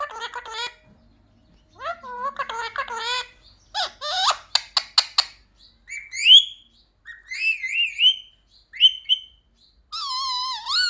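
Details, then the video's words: Talking pet parrot mimicking "mummy papa" produces harmonic squawks, then bursts of quick clicks, followed by wavering whistled phrases and a final long undulating note. "मम्मी-पापा बोलने वाला सुपरस्टार मिट्ठू || 100% असली बोलने वाला मिट्ठू | Viral Parrot Talking Video"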